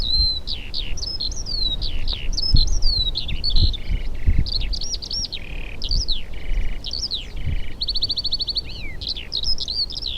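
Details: Skylark song from Polish farmland, given in flight to hold territory where no exposed perches exist. Unbroken, varied torrent of sharp chirps, looping whistles and brief buzzy trills, rapid and high-pitched, over a soft low hum.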